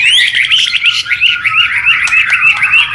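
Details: White-rumped shama in lively song, recorded as tutor material: quick repeated twittering notes in a steady chattering run, about three per second, bright and loud over a faint low hum.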